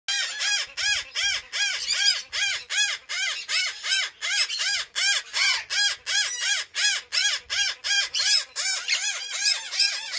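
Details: Conures in an aviary give loud, harsh screeching squawks, each note arched and rising then falling. The notes repeat in a steady rhythm of almost three per second for the whole stretch.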